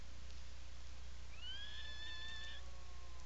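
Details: Atlantic puffin in a nesting burrow, Seal Island National Wildlife Refuge, Maine, 17 July 2018, afternoon: a single loud whistled call that shoots upward and holds level for about a second, fading with lower tones, over a constant hum.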